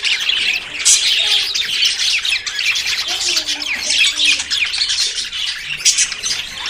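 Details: Budgerigars courting and close to breeding chatter continuously, a mix of high chirps, trills and grating squawks from many overlapping birds.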